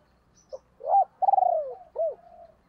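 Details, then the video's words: A female spotted dove calls to excite male decoy doves, giving a brief note, a rising-falling hoot, a long pulsing rolled coo that slides downward, and a closing arched coo trailing off softly. "cu mai gay kich boi nhanh noi"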